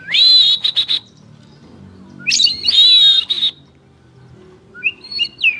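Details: Champion white-rumped shama delivering high, ringing, fast-trilled whistles in two long bursts separated by a pause, followed by softer, thin whistled notes.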